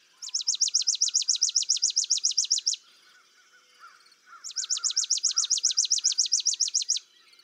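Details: Chipping Sparrow spring song in a Central/Eastern US backyard: two dry, rapid chipping trills of high notes, about seven per second, each over two seconds, insect-like or mechanical; softer bird calls sound faintly between them.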